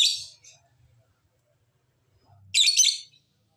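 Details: Lovebird lure sound meant to make reluctant birds reply: a shrill rasping burst at the start and another, louder and longer, after two seconds of near silence, with faint low hum.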